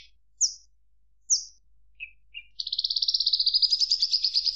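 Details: Javan bush lark song: two sharp downslurred high whistles, two lower short chirps, then a fast rattling trill of evenly pulsed notes holding a high pitch; quiet background.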